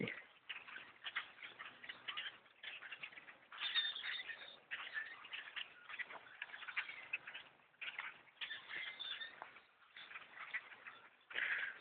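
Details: Blackbirds by the thousands occupying a bow hunter's tree stand, unbothered by shouting; waves of dense squeaky chatter broken by short dips, building again into a thick chorus.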